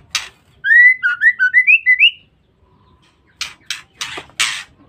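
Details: Ngeriwik call of a female white-rumped shama, played as a lure to provoke males. Eight quick clear whistled upslurs over about one and a half seconds are followed by silence and several sharp rasping clicks.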